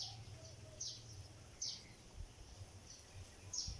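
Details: Sparrow calling while building a nest of palm leaves: short high chirps every second or so over a quiet low background hum.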